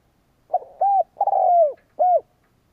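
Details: Spotted dove decoy bird kept for luring, cooing to provoke rival doves: a short opening note, a clear coo, a long rolling coo sliding down, then a final rounded coo, low and mellow, in a quiet setting.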